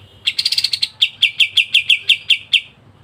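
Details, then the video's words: Kapas tembak singing in the dense ngebren style used as masteran: a quick burst of high stuttering chips, then slower, evenly spaced sharp double-toned notes that fade out after about two and a half seconds. "KAPAS TEMBAK GACOR NGEBREN RAPAT"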